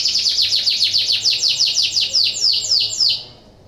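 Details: Canary in breeding condition, song played to encourage other canaries to sing: a steady rolling series of high, quick descending notes, roughly three or four per second, stopping abruptly near the end.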